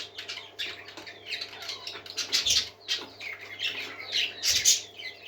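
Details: Busy chorus of happy parakeets, rising and falling scratchy warbles and squawky chatter from several birds, two muffled thumps, faint low hum.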